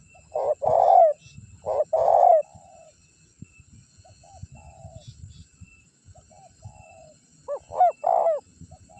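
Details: Luring call of a spotted dove, used to bring wild birds and rivals near. Two loud low coo phrases open, then quieter soft notes and background rustle, before a final hollow phrase returns.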